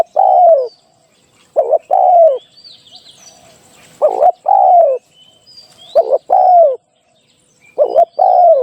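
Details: Spotted dove used as a trapping decoy, giving a run of low mellow coos, each led by a short stuttered note and ending in a drawn-out downward slide, roughly every two seconds, soft high chirps around.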